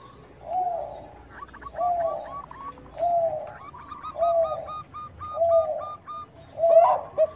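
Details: Bangkok zebra dove singing as a lure for rivals: low, rich coos spaced roughly a second apart, interleaved with a quick string of higher, clipped trilling notes.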